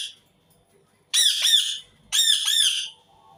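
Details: Indian ringneck parakeet screeching twice, each burst a raspy double-note scream, about a second apart and loud against a quiet background.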